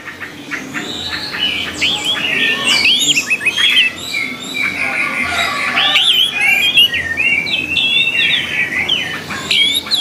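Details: Orange-headed thrush singing as training material for caged birds: a continuous, fast, warbling stream of looping whistles and chirps lasting the whole stretch, with sharp clicks mixed in.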